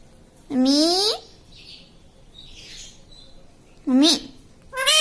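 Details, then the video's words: Indoor pet parrot imitating human words, said to say "mummy": three loud rising nasal calls, drawn-out and meow-like, the first near half a second long, separated by soft murmuring and room hiss. "Bolne wala tota - tota talk - mummy bolne wala mitthu - talking parrot"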